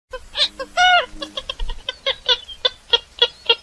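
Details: Purple swamphen calling, a series of nasal, harmonic clucking notes with one longer drawn-out honk near the start, then evenly spaced short hoots about every third of a second.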